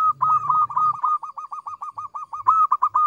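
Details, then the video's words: Local zebra dove, used as a lure for other birds, giving a clear, small-voiced song: a fast run of short clipped notes near one pitch, about six per second, with a low rumble early on. "Perkutut lokal gacor suara kecil merdu jernih cocok untuk pancingan"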